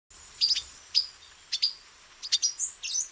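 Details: Male silver-beaked tanager (pipira-vermelha) in Brazil, hidden among branches, giving sharp, short metallic chips in small irregular bursts, some paired, with a higher upslurred note near the end over a faint high hiss.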